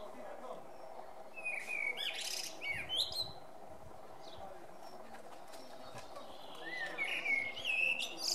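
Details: A male common blackbird gives two separate song phrases several seconds apart, each a mellow whistle breaking into a thin, high twitter, over a steady background hum.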